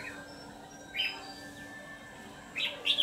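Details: Ché-style red-whiskered bulbul used as a lure for trapping delivers short, separated bursts of bright whistled chirps, one early and a pair near the end, with quiet hum between.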